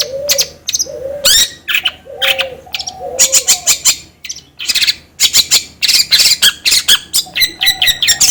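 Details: Long-tailed shrike song used as bait to make another bird sing actively: low mellow notes with sharp whistles, building into steady rapid bursts of harsh chattering.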